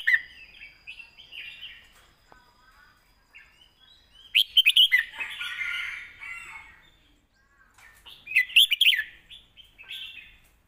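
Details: Point-scoring song of a caged red-whiskered bulbul with complete tone and phrasing, recorded for training young birds: two loud, jumbled warbling outbursts with softer chattering notes between, plus light clicks.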